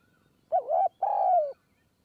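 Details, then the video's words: Spotted dove calling from a perch in Kanchanaburi forest, Thailand, during decoy luring; one phrase of a wobbling short coo and a longer, burry, downward-trailing coo, clean background. "คูบนคอน คูยาวมาก 170 คำ"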